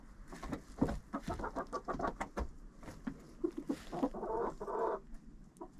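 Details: Hens in a coop recorded close by a GoPro: dense clucking and low grumbling notes from several birds, ending in a pair of longer drawn, whining calls, with faint rustling underneath.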